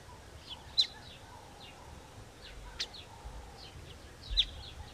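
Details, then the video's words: Southern masked weavers at their nest give a scatter of short, high chirps and sharp ticks at an irregular pace, over a faint low rumble. "southern masked weaver Birds nest video"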